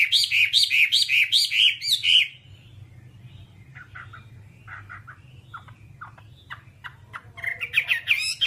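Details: Whambie singing: rapid bright whistled chirps for two seconds, then a quieter stretch of scattered short notes, ending in a loud burst of high rising chirps.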